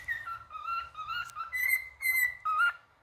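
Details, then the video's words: Male cockatiel singing: a series of clear whistled notes alternating between two pitches, short bursts with brief gaps, melodic and tuneful. "Calopsita Cantando Macho"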